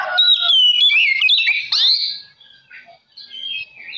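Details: Oriental magpie-robin, a vigorous singer, in a lure song meant to provoke other magpie-robins. A loud rush of varied whistles and slurred notes, mostly high, runs for about two seconds, then softer, scattered phrases follow.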